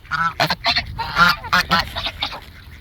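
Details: Several geese in a gaggle honking close by, a quick series of short nasal honks and squawks tumbling over one another, fading toward the end.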